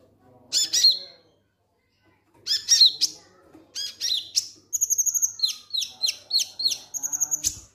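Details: Ngek ngek song of a konin lovebird played to trigger singing: two harsh chattering bursts separated by quiet, then rapid downward-sweeping chirps and short high trills.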